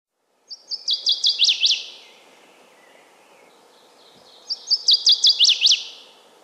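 Northern Waterthrush singing two loud, ringing phrases of sharp chips that speed up into an emphatic rapid flourish, about four seconds apart.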